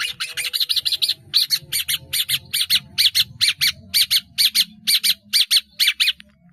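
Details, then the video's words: Long-tailed shrike delivering a rapid series of harsh doubled and tripled bursts, evenly spaced about twice per second, with a low murmur underneath. "CENDET GACOR ISIAN BANYAK"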